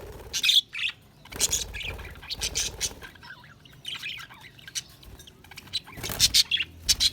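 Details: Budgerigars give high squawky chirps and warbles in irregular bursts, with a louder cluster of sharp chirps near the end.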